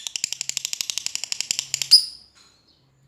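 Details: Lovebird calling out to a rival with a long chattering call, fast rhythmic high chips for about two seconds that end in one sharp squeak, then silence.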